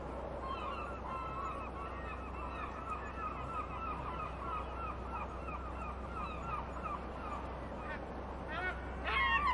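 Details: A colony of gulls in the harbour at Svolvær, Lofoten, Norway, calling at once: a steady chorus of harsh, rising mews and yelps several times a second over a low constant rumble of wind or harbour noise.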